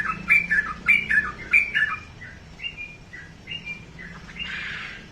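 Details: Pet sooty-headed bulbul singing clipped, emphatic chirps in a quick pattern, then softer spaced notes, ending with a brief rustling hiss.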